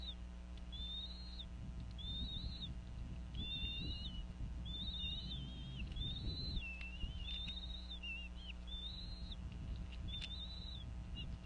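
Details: Female bald eagle at a Northeast Florida nest calls over a fish while she and her mate feed the eaglets around 4:40 pm. Repeated high whistled notes, some dipping lower, come over rustling nest noise and a steady hum.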